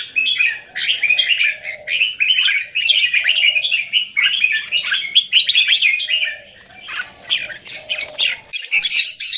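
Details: Red-whiskered bulbul kept in a square cage, 17 January 2019: busy, chattering song of quick warbled and chirped phrases, a short gap near seven seconds, then thin high squeaky notes at the end.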